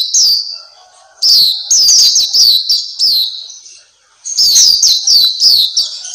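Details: Black-capped white-eye, called pleci Papua, recorded as a master song for training caged birds: high, piercing chirps in separate bursts, a long steady note opening, then clusters of quick downslurred notes after a quiet pause.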